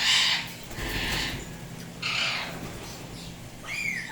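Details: Tame turquoise blue and harlequin Indian ringneck parrots indoors, producing broad, harsh screeches in roughly four bursts, the last sliding up then down in pitch, over a low room hum.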